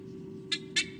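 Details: Female white-bellied sea eagle at her nest in Sydney Olympic Park, Australia, 2015, fiercely protecting her chicks from a night intruder, probably an owl; two short, harsh, rasping calls over a steady low hum.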